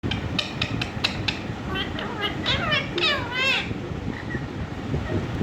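An Indian ringneck parrot talks in a high, rapid, childlike voice. A few mimicked words come in quick bursts over steady background hiss and room noise.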